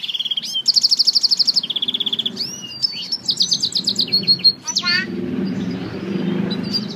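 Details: Singing African citril mule: a fast high trill, a buzzy rattle and a lower trill, then thin sliding whistles and a rough falling note, with faint low background hum throughout.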